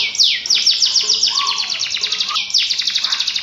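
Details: Gacor canary in full song for prompting birds that have stopped singing: a quick swoop, then long rapid pulsed rattles, a low whistled slur in the middle, and renewed fast rattling.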